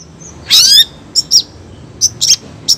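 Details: A female long-tailed shrike calling to the male opens with a loud harsh rattling burst, followed by a few short squeaky chirps.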